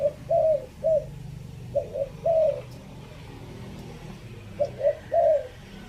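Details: Decoy cooing of a spotted dove from Chiang Mai, Thailand, three-note style, phrase five: clusters of mellow hoots, each ending in a longer wavering coo, recurring about every two seconds over a faint low background rumble.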